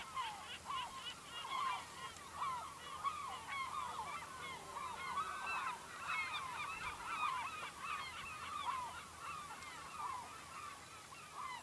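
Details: Continuous gull clamour at a Lofoten fishing village, Norway: numerous loud, looping wailing calls overlap throughout with little pause, over a steady outdoor hiss.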